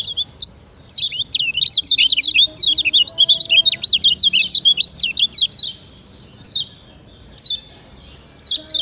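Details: Lemon-bellied white-eye from Lombok, used as a master song for training other birds: fast, high chirping twitters of rising and falling notes in long bursts, pausing briefly between runs, with faint low background hum.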